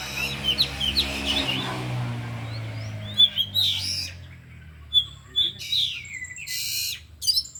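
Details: Caged oriental magpie-robins, four birds in an afternoon training session, deliver their mimicked repertoire: sharp high whistled notes and slurred chirps spaced by pauses, with a low hum underneath and a fuller scratchy phrase near the end.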